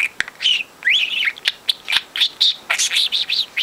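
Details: Four-month-old male pet budgie, talking since two months old and mimicking overheard conversations, gives a rapid chattering warble of short, bright, bending chirps packed closely together with barely a pause.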